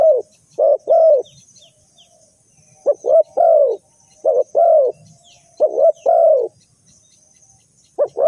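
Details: Spotted dove used to lure birds into traps, uttering repeated mellow coo phrases, quick double notes then a sustained falling coo, with gentle pauses between.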